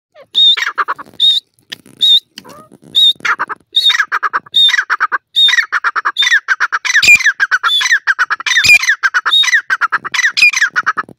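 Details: A grey francolin gives loud, harsh, grating calls in rapid repeated bursts, each phrase opening with a short high whistle-like note, continuing without pause.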